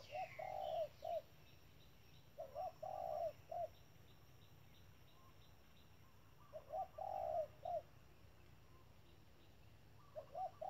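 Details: A spotted dove used as a trapping decoy repeats a low, mellow three-part coo, short–long–short, every few seconds, with a faint high chirp from another bird and a low background hum.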